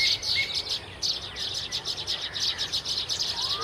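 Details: Loud, close baya weaver chatter: rapid, dense trains of sharp high chirps and buzzy twitters pulsing several times a second, with a few thin whistled slurs from another bird.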